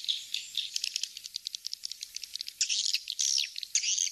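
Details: High swiftlet lure call in the kings star style: a run of sharp rapid clicks and short chirps, followed by longer buzzy twitters with thin whistled notes at the end.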